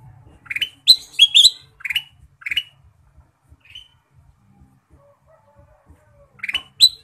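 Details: Ruby-throated bulbul singing lively with full fill-in phrases: clear, bright upslurred whistled notes in quick bursts of three to five, a pause, then two more rising notes near the end, over a faint low hum.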